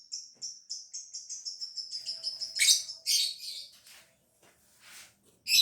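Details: High-quality caged lovebird from Gresik, East Java, Indonesia, starting its ngekek trill when uncovered: a steady run of sharp, high chirps speeding up, then rough, grating bursts, with a faint low hum underneath.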